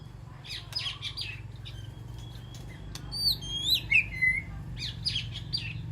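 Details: White-rumped shama communicating with its flock inside an aviary: clusters of high chips and clicks, a bright sliding whistle with falling notes midway, then more chirps, over a low steady hum.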